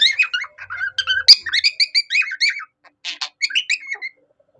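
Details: Budgerigar mimicking a cockatiel's song: a fast series of bright chirps and short whistled notes, rising and falling, with a couple of harsh buzzy notes near the end before it stops.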